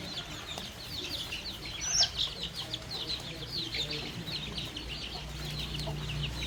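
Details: On a countryside farm, baby chicks and young chickens feed on fresh termites, keeping up a steady stream of shrill, descending peeps from many chicks, with a sharp louder chirp early on and a low hum.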